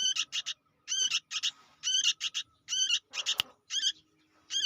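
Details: Noisy fledgling sooty-headed bulbul repeating grating, harmonic-rich notes in clusters of two or three, roughly one cluster per second, with a single sharp click partway through.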